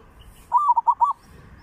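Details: Single phrase of Zebra dove song used for luring, three southern provinces style: a quick run of five bubbling, slightly wavering coos lasting about half a second.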